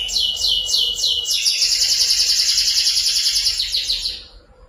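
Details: Lively canary singing, offered for tutoring magpie robins to sing: quick downward-swept whistles give way to a sustained rapid high trill that fades out at the close.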